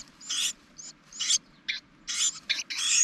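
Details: A Carolina wren at a spring nest atop a propane tank, where the mother feeds her young, gives harsh, raspy bursts, about seven in three seconds, spaced unevenly, over a faint low hum.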